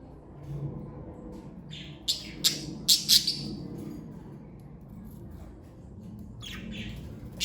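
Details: A family of pet parakeets chirps in a quick burst of sharp, high notes clustered over about a second. A few softer calls follow later against a steady low room rumble.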